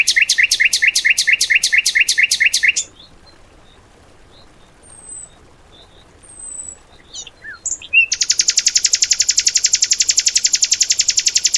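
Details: Songbird material in the 'tembakan' style, used for training cage birds: fast, evenly repeated high buzzy notes, about two per second. A short quiet gap with a few thin whistles follows, then a dense continuous rattling trill.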